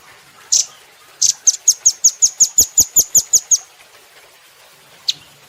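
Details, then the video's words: Training recording for cage birds of a velvet-fronted nuthatch: one rough note, then a fast, regular string of about twelve high sharp chips, and a final single chip after a pause. "Rambatan Doraemon Super Gacor"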